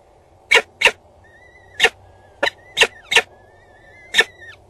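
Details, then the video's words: Peregrine falcon nest on Axel Tower, Netherlands, 19 April 2022 at 12:43: two chicks fed by the mother, father present. Loud harsh bursts about once a second, with thin, drawn-out whistles near steady pitch between them. "Two chicks , Dad at the moment , Mom arrived with food , feeding"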